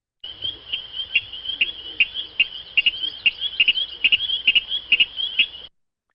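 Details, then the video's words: Virginia Rail song: a steady run of sharp, high double-noted 'cadick' or 'ticket' calls, roughly one pair every half second for five seconds. "Whereas the song of the Virginia Rail is a series of double-noted cadicks or tickets. Sounds like this."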